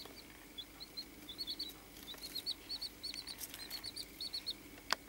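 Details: Baby chicks kept for study, peeping steadily: a run of quick, fairly soft high chirps, some doubled, continuing through most of the stretch, with a sharp click near the end and light background rustling.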